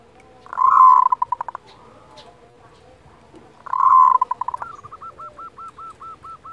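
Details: Local zebra dove giving kerot calls, used as a training lure to raise breeding desire and emotion. Two harsh churring bursts break into quick clicking pulses. The second is followed by a run of short, evenly repeated looping coo notes.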